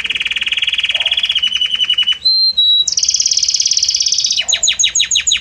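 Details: Belgian canary singing a varied, harmonious song: a steady rolling trill, two clear sustained whistled notes, a high rapid trill, then quick descending chirps repeated in a fast series.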